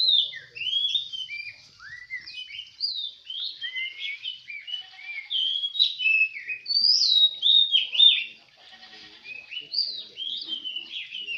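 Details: Contest oriental magpie-robin in Semende Perapau delivering a continuous, rich warbling song of quick slurred whistles, each note sweeping up or down, sustained for over ten seconds with scarcely a break.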